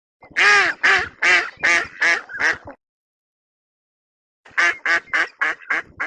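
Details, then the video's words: Duck giving a fast run of loud, nasal quacks that fall and soften over about two seconds, then a pause before a second quicker, quieter series begins. "Duck sound - duck quack - duck sound effect."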